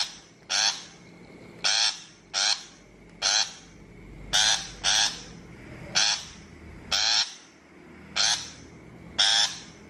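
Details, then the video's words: Shrike calling for a trapping-lure track: roughly a dozen harsh, grating notes about once a second, sometimes paired, with a faint steady whine in the background. "Tiếng chim bách thanh chuẩn mp3 cho loa bẫy 2023"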